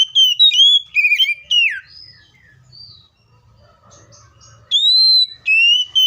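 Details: Bright Seychelles magpie-robin song: clusters of loud, pure whistles and downward slurs, a quiet gap, then long, clear, level whistles resuming.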